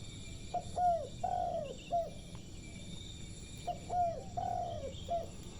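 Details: Spotted dove perched on a lamp post, cooing: two low, mellow phrases, each a short note, a drawn-out falling coo and a short closing note, separated by about three seconds of steady background noise.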